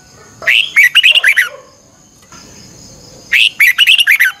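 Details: Morning training song of a red-whiskered bulbul, 'chè căng lửa' style, 'xoắn kép' voice, meant for teaching other birds: two lively phrases of rapid, rising-and-falling whistled notes about three seconds apart, with a thin constant high whine behind.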